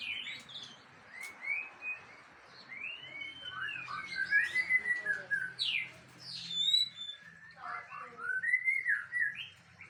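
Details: White-rumped shama of the Aceh type, a kept songbird, delivering its isian (learned fill-in song material): varied slurred whistles and rising and falling notes in irregular bursts, with a faint low hum underneath.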